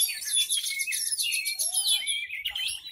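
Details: Loud, unbroken song from a kept Horsfield's bush lark of the "hitam putih" type: densely packed high trills and twitters over a lower slurred whistle.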